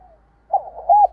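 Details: Spotted dove, recorded as a lure to get a decoy bird cooing: after a soft lead-in, a brief hollow cooing phrase of two low notes, the second louder and slightly arched, over a faint low hum.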